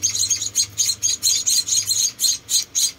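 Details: Rescued munia nestlings, four together, during hand-feeding call with rapid, piercing, buzzy chirps, about four each second, sharp and high.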